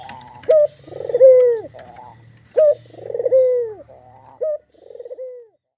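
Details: A white black-collared Barbary dove gives a series of coos, each a short clear note and a long rolling downward coo, the last phrase softer and trailing off; a low hum sits underneath.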